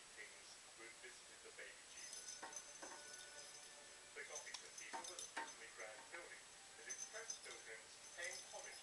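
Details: Angry pet budgerigar trying to destroy its new toy chatters in quick, scratchy bursts of chirps and harsh squawks.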